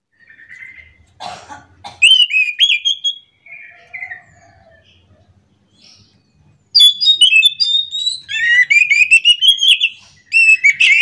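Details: Orange-headed thrush (anis macan) in the morning, delivering a short whistled phrase, soft notes, then a long, rolling run of rapid mimicked twitters and whistles.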